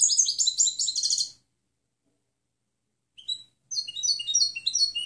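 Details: European goldfinch, clean 'limpio' song for teaching other birds: quick tinkling twitter, a pause, a couple of thin upward chirps, then a lively run of varied liquid notes.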